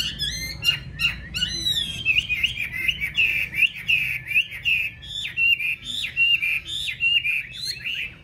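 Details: Chinese hwamei, a caged golden-billed songbird kept at home in Vietnam, singing an energetic song of sharp high flourishes followed by a fast, rolling, steadily repeated whistled pattern.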